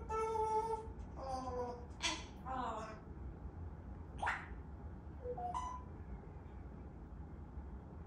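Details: Pet African grey parrot talking indoors, giving a string of speech-like, harmonic syllables in the first three seconds, then a few short squeaky notes and scattered sounds before falling quiet.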